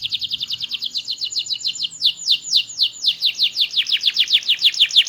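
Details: Small canary with a loud, melodious, varied song, delivering a long, fast series of high chirping notes, about four per second, sweeping downward and steady in rhythm throughout.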